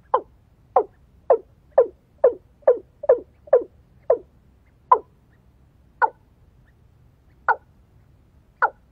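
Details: Watercock calling while being lured with a female decoy: about a dozen hollow, knocking notes, quick and close together at first, then slowing and spreading out with longer gaps, against a faint low hum.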